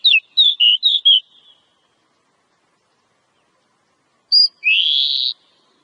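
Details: Wild Oriental magpie-robin, a fighter bird, singing: a quick string of five slurred whistles, silence, then a short high note and a long rising buzzy note.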